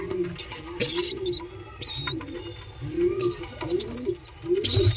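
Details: Baby pigeon calling while a grown pigeon feeds it: a run of low, wavering, arched notes repeated roughly every second, overlaid with shrill sustained whistles in two bursts and some rustling underneath.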